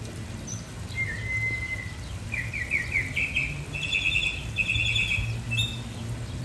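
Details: Mockingbird singing melodies and whistling: a long clear whistled note, then a run of buzzy, stuttering phrases and bright repeated notes. A low rumble of background noise runs underneath.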